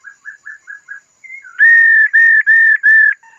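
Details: A female laughingthrush gives five soft short notes and a brief higher slur, then four long, loud, level whistles in a steady row, calling to stimulate a male.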